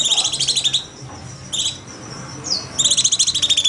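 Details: Cucak cungkok bulbul singing in rapid shooting style, used as a master recording for training birds; high, rapid buzzy trills of evenly pulsed notes in bursts separated by short pauses, with a faint low hum beneath.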